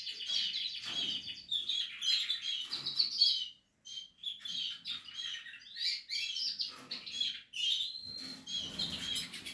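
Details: A brood of Portuguese harlequin canary chicks chirping in shrill, choppy bursts, with a short silence around the fourth second before the squeaky calling resumes.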